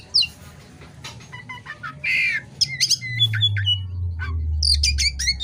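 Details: At night, an oriental magpie-robin in full lively song mixes scattered ticking notes, a harsh buzzy burst and quick whistled slurs, while a deep droning hum rises underneath.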